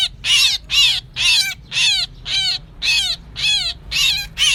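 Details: Harsh myna calls from a 2024 lure for trapping birds: nine scratchy bursts with drooping overtones, delivered steadily about twice a second, with a quiet background.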